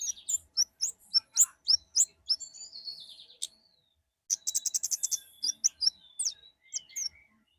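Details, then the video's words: Forest orange-headed thrush in varied high song: rapid chattering notes, a drawn-out thin whistle, a pause, then dense trilled bursts and sweeping whistles. "burung kemade ngalas"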